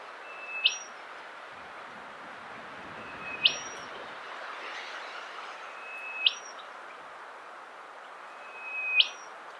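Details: Rufous whistler (Pachycephala rufiventris) song at Monarto Woodlands, South Australia, 20 October 2021: a clear whistle sweeping sharply upward at the end, repeated four times about every three seconds over steady hiss.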